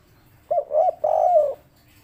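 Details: Local spotted dove in the 'kuk 3' coo style. Two brief soft notes lead into a longer drawn-out third coo, all low and mellow. Quiet background hum.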